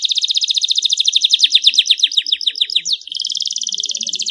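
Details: A canary sings clear, continuous trills, used as a lure for reluctant singers: a long rapid rattle slows into swooping repeated notes and then switches to a smooth high buzzing roll.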